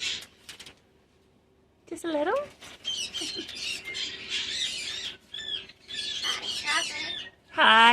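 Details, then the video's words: Pet cockatoo chatting with its owner indoors: after a brief silence, a long run of warbled, talk-like squawks and whistles, ending in a loud rising screech, with the owner's voice. "Chatting with Hero the cockatoo"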